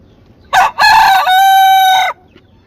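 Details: Crowing rooster in South Korea: a brief sharp first syllable, a gap, then a loud rasping phrase leading into a long level ringing note, with a quiet backdrop.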